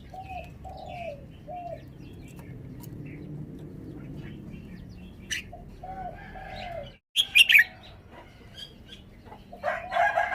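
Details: Red-whiskered bulbul kept as a cage bird, singing its song phrasing: a sharp, loud cluster of bright warbled notes after a short gap, while a dove-like bird coos low and repeatedly and a harsher bird call ends the recording.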